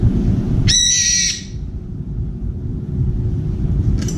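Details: Screeching "piiiik" of a brown-eared bulbul calling for a companion at a window-side feeder. One strong, harsh, rasping note lasting under a second, then a brief faint note near the end, against low background rumble.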